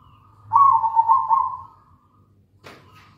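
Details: Local zebra dove in full song, used as a lure to prompt other doves to sing: one loud, trilled, burry coo phrase lasting over a second, fading away, then a short click and a softer tail note.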